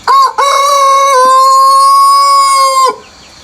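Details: Rooster crowing in the countryside early in the morning before sunrise: one loud, long, harmonic-rich crow with a short opening note, then a sustained steady tone held for about two and a half seconds before stopping abruptly.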